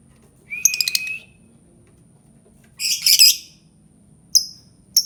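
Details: Albino lovebird giving a rapid buzzy chirping burst, then a dense harsh squawking cluster, followed by two short sharp chirps.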